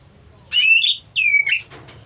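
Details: White-rumped shama in breeding condition, two drawn-out whistled notes, the first steady and slightly rising, the second sliding downward, with low hum in the background.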